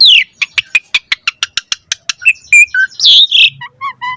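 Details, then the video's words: Asian pied starling giving a rapid train of about a dozen dry clicking notes, followed by varied whistles, a harsh rasping burst and a few soft chirps. "Pancingan Jalak Suren Gacor Auto NYAUT Cepat MOMPA"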